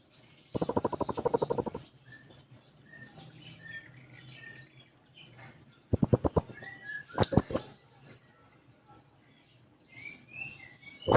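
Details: Blue-crowned hanging parrot singing intensely while seeking a rival: two bursts of rapid, shrill, very high ticking notes, each about a second long, separated by scattered faint chirps and a low background hum.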